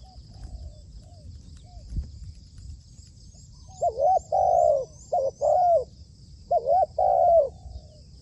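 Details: Trained decoy spotted dove used for dove trapping, giving low, mellow cooing phrases after a quiet start: two groups of quick double-humped coos ending in a longer drawn note, with faint high chirping in the background.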